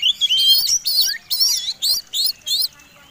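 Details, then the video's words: Fighting song of a white-rumped shama, played to provoke rival birds to sing: six loud, high, warbling-whistled phrases in quick succession, each with a sharp rising and falling twist, separated by brief pauses. "Suara Kombinasi Kacer Tarung Super Gacor || Pancingan Super Duper Ampuh 100% Jamin Nyaut"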